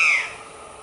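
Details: Female white-lined tanager giving one short call: a loud, clear note that slides slightly downward, then fades quickly into soft background hiss.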